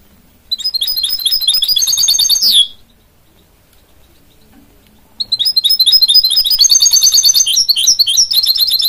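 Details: Goldfinch-canary hybrid (mule) singing in two bursts of rapid, high twittering and trilled notes separated by a few seconds of quiet.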